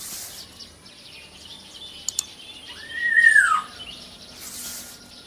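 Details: Small local black-naped oriole: one slurred note arching up then sliding down, about half a second long, over quiet background hiss with a couple of faint clicks.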